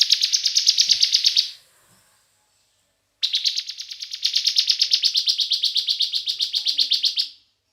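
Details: Young Bar-winged prinia in 'bren' style song, used as a lure: a rapid buzzy trill of under a second and a half, a gap of almost two seconds, then a four-second run of evenly repeated high notes.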